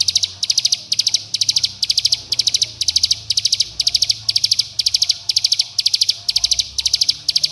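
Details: Bar-winged prinia, rapid close-knit rattling song played to stimulate young birds: sharp high bursts of several ticks, repeating steadily around twice a second.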